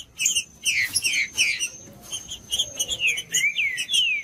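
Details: Green-winged saltator song played to warm up a cold bird: loud whistled phrases with falling and rising slurred notes, given in short bursts separated by pauses, over a faint steady hum.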